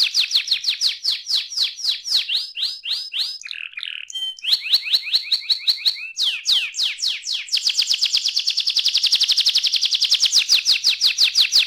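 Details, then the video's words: Loud canary song recorded to encourage young canaries to sing: repeated high chirps, a brief harsher broken passage, more chirp series, then a long fast rolling trill. "ampuh membuat kenari muda gacor"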